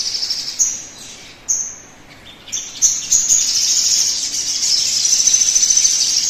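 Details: Sunbird song used to coax birds into singing: a few sharp high chips, then a sustained shrill trill of rapid notes, over a faint background hiss.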